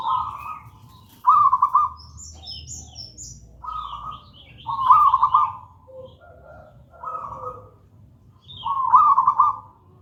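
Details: Gedang rojo zebra dove of local stock, its song used as a lure: repeated trilled coos about every one to two seconds, mixed with lower soft notes and busy high chirping of small birds.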